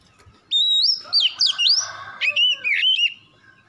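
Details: Oriental magpie-robin lure recording meant to make birds sing: loud whistled phrases sweeping up and down, with rapid slurred notes between about half a second and three seconds, over a quiet background.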